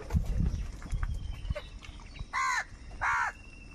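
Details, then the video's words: Crow calls made while fighting for food: after low rumbling and faint knocks, two hoarse, grating caws follow each other in quick succession, each lasting about a third of a second. "Crow bird unity anger and sound for food"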